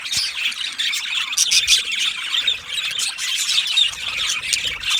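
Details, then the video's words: Aviary flock of Australian budgies chattering together, many bright, rapid chirps and harsh little squawks layered into an unbroken high twittering wall of sound, with slight dips and swells in volume. "Beautiful Budgies Birds Chirping Sounds"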